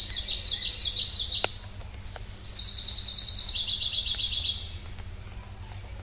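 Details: Pallas's leaf warbler song, a bird of mountain forests: a run of quick high chirped notes, then a long rapid rattling trill that drifts slightly lower, followed by a brief upslurred note and a faint final call; low steady hum behind.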